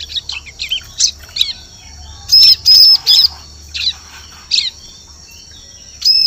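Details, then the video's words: Bar-winged prinia calling, a sound used as a lure for birds in the forest. Scattered thin tweets lead into a loud trio of high, arched chirps, followed by sparse single notes. "Suara Pikat Burung Ciblek Cocok Untuk Memikat Di Hutan"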